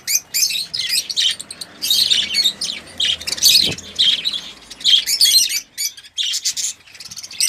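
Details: Captive budgerigars, mostly red-eyed lutino and albino, chirp and chatter continuously, a busy mix of high, scratchy warbles and sharp tweets.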